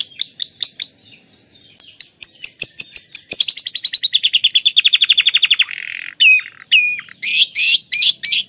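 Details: Atlantic canary whose song is filled with lovebird imitations, offered as tutor material or to prompt lovebirds: sharp repeated chirps, a long fast descending trill, then loud looping upslurred notes.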